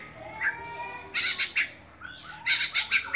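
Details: Kacer Dewa Air oriental magpie-robin in a cage giving 'buka-bukaan' song, here mostly loud harsh squawking bursts in two clusters, with a faint whistle between.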